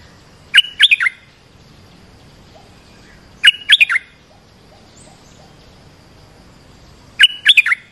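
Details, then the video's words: Olive-winged bulbul calling, a recording meant to teach young birds and draw in wild ones; three clusters of rapid, bubbling notes spaced roughly three seconds apart, with faint soft chirps between them. "เสียงนกดอกแตงEp.248 เปิดหัดลูกเสอ ลูกใบ้ เสียงเรียกนกป่า Suara pikat merbah lekir gacor"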